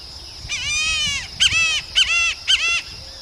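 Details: Free wild birds in nature: four harsh, harmonic-rich calls. The first is long and level, and three shorter notes start with a sharp upward flick. They come about every half second against a quiet rural background.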